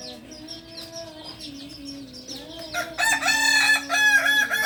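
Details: Farm-bred Kokok Balenggek cockerel from Solok, Indonesia, a native singing breed: quiet small-bird chirps and a low hum, then a loud rippling crow of rapid repeated syllables bursting in for the last two seconds.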